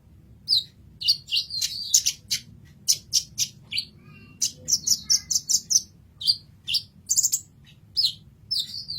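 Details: Kolibri ninja sunbird in a tutor recording for songbirds, singing a lively string of high, sharp chips and short trilled twitters, mostly evenly spaced, over a clean background.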